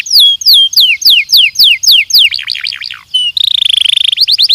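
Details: Training song of a Belgian canary: repeated downward-slurred whistles, a few wavering notes, a steady buzzy tour, then a quick rapid-fire trill.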